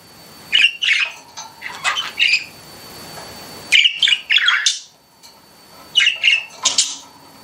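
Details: Pet budgerigars chirping in a room: clusters of quick squawky chirps and chattering notes in three bursts with quiet gaps between them.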